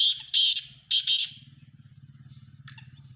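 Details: Sindhi black francolin calling: two pairs of loud, rasping, broadband notes in quick succession within just over a second, followed by a low pulsing hum and one faint distant note.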